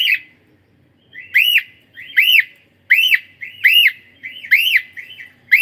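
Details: Pet cockatiel calling loudly, a run of arched, rising-then-falling screeches repeated about once every second, each ringing and sharp, with short silent gaps between.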